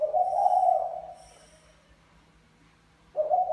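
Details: Spotted dove male (Mã Phấn) courting a Bài Lối female; one full, hoarse low coo fades out, then after a pause the next coo begins abruptly.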